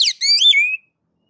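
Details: Oriental magpie-robin, ngeplong style: a brief phrase of sharp high notes falling quickly, then a sustained whistle that rises and dips before fading. Clean, with no background.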